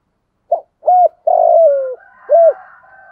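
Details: Spotted dove kept as a decoy to lure wild doves, giving its full coo phrase: a short note, an arched coo, a drawn-out descending coo, and a final rounded note, with a faint hum underneath.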